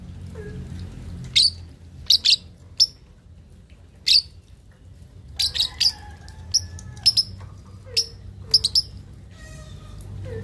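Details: Young lovebird, 2.5 months, learning to chatter (ngekek) to provoke rivals: crisp high chirps, single and in quick pairs, growing busier toward the end, with faint lower whistled tones behind.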